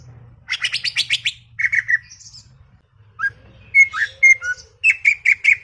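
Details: Garden greater green leafbird giving talkative chattering song: a buzzy rattling trill, then falling slurs, clear whistled notes and a quick run of bright repeated chips at the end, with faint low hum.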